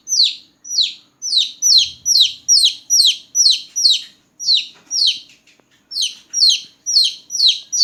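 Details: Baby chickens, newborn, peeping loudly at night; high descending chirps come in quick runs, with a brief pause in the middle before the calling resumes.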